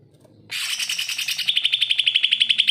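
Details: Greater green leafbird singing as a tutor for leafbirds reluctant to sing: a rich, jumbled chatter that settles into a rapid run of repeated clipped whistled notes.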